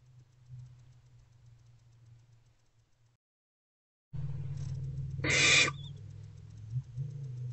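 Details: Single short, breathy hiss from barn owlets snuggling in a nest box at night, early morning of 2 March 2024, rising from a background of low hum and faint rustling.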